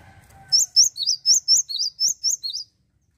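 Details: Singing Java sparrow, a voice used to provoke rival birds: roughly nine sharp, high chirping notes, each hooked and upswept, delivered rapidly after a faint low hum and a soft tonal sound at the start.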